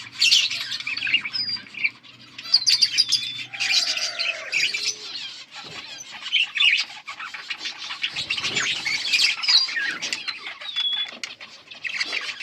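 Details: Budgerigars chirping, recorded August 15, 2024: dense overlapping warbles, squeaks and scratchy chatter from several birds without pause, plus a few lower drawn-out tonal notes around four seconds.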